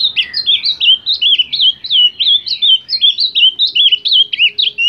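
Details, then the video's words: Ultramarine grosbeak pouring out a lively chain of looping, whistled notes, quick and varied, rising and dipping, over a soft background rumble. "Azulão Cantoria Linda!!"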